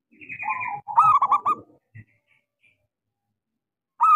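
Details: Local zebra dove lure song to rouse quiet doves: a wavering coo into a stuttered phrase of clipped notes, overlapped by a higher buzzy trill from another bird, with low rumble underneath.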